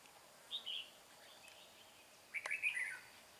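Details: Red-whiskered bulbul recorded during trapping of a wild, bell-voiced bird: a brief whistled note, a pause, then a longer rich warbling phrase that rises and falls, against soft background hiss and a single click.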